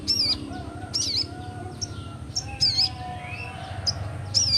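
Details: Young Crimson Sunbird in ngleper-style song, used to encourage lazy singers: repeated short, piercing high chirps with a warbled twist, about five bursts in under five seconds, over a low droning background.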